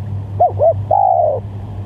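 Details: One spotted dove call used as a lure: two quick arched coos then a long coo easing downward, over a strong low hum.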